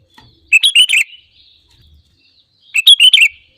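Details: Sooty-headed bulbul song used as a lure to trigger other birds to sing: two short bubbly, chirpy phrases about two seconds apart, each a quick cluster of bright notes, in otherwise quiet surroundings.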